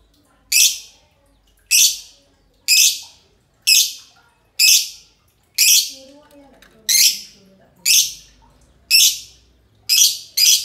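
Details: A pair of green lovebirds singing ngekek: harsh, scratchy squawks about once a second over roughly ten seconds, with a faint low murmur in the background.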